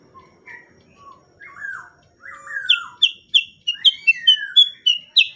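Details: Sooty-headed bulbul used as tutoring audio for songbirds: soft short whistles, then fuller slurred whistled phrases, building into a lively series of sharp high chips and twitters.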